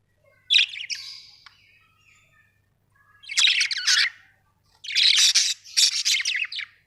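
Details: ['Budgies give three bouts of dense, scratchy warbling chatter mixed with buzzy squawks, each lasting about a second, separated by short silences.']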